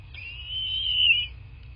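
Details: Bald eagle at its nest in southwest Florida, recorded on nest camera 8 March 2024 near 11:00: a single sustained, slightly quavering high whistle lasting about a second, over faint low hum.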